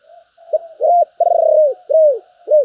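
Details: Spotted dove, thổ voice style, described as sounding very good. Soft low notes lead into a short hoot and a longer hoot. A long throbbing coo follows, then two downward-arching coos in a quiet setting.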